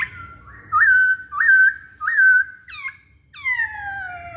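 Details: Masked laughingthrush lure song: three loud, rising-and-falling whistled phrases repeated about every 0.7 seconds, then two long, descending whistles.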